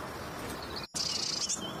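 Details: Late-hatched little pied flycatcher chick, often missing out on food, gives a brief high, hissy begging note after a short silence, sustained for about half a second.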